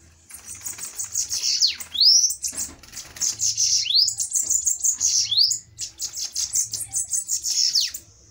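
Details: Dueling bananaquits in a fight, giving a dense high-pitched sizzling chatter with quick upward-slurred whistles every second or two, steady and intense throughout.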